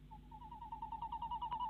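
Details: Tawny owl pair at a Dutch nest box camera, late evening, 25 February 2016: the female in the box calls while the male brings a mouse, giving a quick string of pulsed nasal notes that grows louder toward the end.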